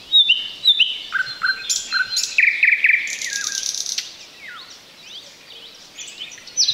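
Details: Thrush Nightingale, Luscinia luscinia, singing close to the recorder from roadside bushes in Ukraine's Chornobyl Exclusion Zone in 2020, bird unseen; loud varied phrases of repeated piping notes about twice a second, then fast buzzy trills and descending slurs.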